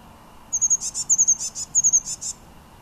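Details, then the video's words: Blue tit singing in Münchenstein, Switzerland, in January 2013: very high, thin phrases, each a fine sibilant note followed by a few quick clipped notes, repeated three times in under two seconds. "Blue Tit - Blaumeise - Parus caeruleus singing"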